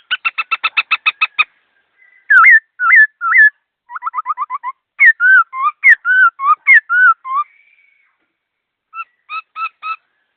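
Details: Loud, varied whistled bird song: it opens with a rapid string of about ten even notes, then moves into looping upslurred and downslurred whistles and a fast stuttering series, pauses, and ends with three short notes.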